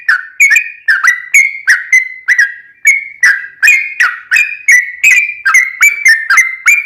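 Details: Yellow-vented bulbul singing a long, busy phrase to bait other bulbuls into calling back. Mellow whistled notes tumble in a steady rhythm near three per second, with bright clicks starting each note.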